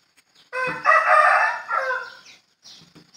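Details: A rooster gives a single strident crow, starting suddenly, peaking early, then tapering into a drawn-out fading tail, followed by faint scratchy noises.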